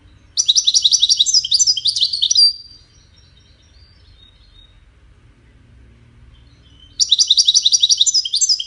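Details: European goldfinch of the Wedani type singing two bursts of rapid, high, tinkling twitters separated by a few seconds of near silence, with a faint low hum underneath.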